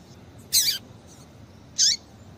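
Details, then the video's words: Female double-collared seedeater, calling to excite males: two brief, piercing high chips about a second apart over faint background hiss. "Piado de Fêmea de Papa capim Para Esquentar Papacapim"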